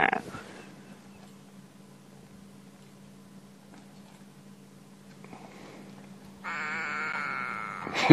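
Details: In the early morning, on a sunrise safari drive, a go-away-bird perched just above gives a harsh, nasal, drawn-out cry rich in overtones near the end, over a steady engine hum with brief human speech at the start.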